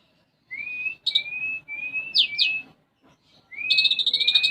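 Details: Sunbird (konin) in energetic gacor song of the isian gereja style. Long, thin whistled notes rise slightly and repeat, with short sharp high chips between them, ending in a fast, bright, rattling high trill.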